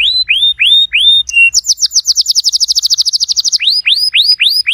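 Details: Singing canary, used to prompt a quiet canary to sing: a few upslurred whistles, a short level note, a very fast rattling trill of clipped notes, then renewed rising whistled notes.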